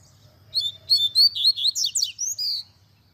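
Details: Double-collared seedeater singing Tui Tui Zel Zel song meant for tutoring young birds: a run of about ten whistled syllables, swooping up and down, with steep falling slurs mid-phrase and a sustained whistle to finish.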